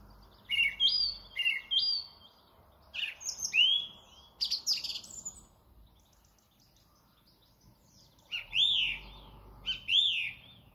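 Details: Song thrush singing at Thoralby on 2 June 2020: loud, clear whistled phrases, each given twice in quick succession, then a pause and new high, swooping double phrases near the end; quiet background otherwise.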